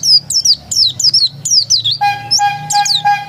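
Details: Oriental white-eye, described as a pure original bird, giving high, slurred, descending chirps in quick succession, joined midway by a steady lower tonal whistle-like sound running beneath.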